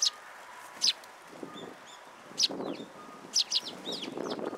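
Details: Sparrows at a shrine coming to a feeding platform to be fed, 14 February 2023: scattered short high chirps and sharp tweets with quiet pauses and faint rustling between.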